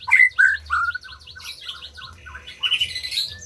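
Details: Song of a white-rumped shama, meant to get quiet birds singing: a fast tumbling run of whistled and slurred notes, rising to high squeaky chatter near the end.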